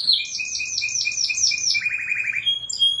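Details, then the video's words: Canary song for tutoring, super melodious and continuous: quick wavering high notes over a steady lower trill, dropping into a rapid rolled tour, then sharp whistled pips. "masteran#suara kenari super merdu dan gacor"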